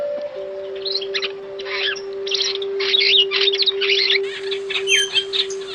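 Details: African starling singing a rapid, varied stream of squeaky, warbled and whistled phrases, high and sweeping, while a steady electronic drone tone hums continuously underneath.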